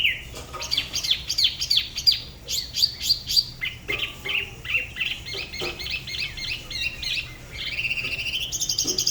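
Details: Tiểu mi (spot-throated babbler) of Dalat, Vietnam, performing solo by the La Ba river in a distinctive regional style. A varied jumble of clear, loud whistled notes is followed by softer, busier chattering phrases and a final rising run.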